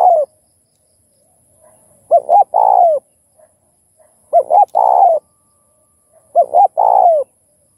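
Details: Spotted dove, song styles thúc, gù and gáy gọi, used to set other kept doves cooing. Three similar phrases about two seconds apart, each two short bouncing notes followed by a drawn-out, slightly falling coo.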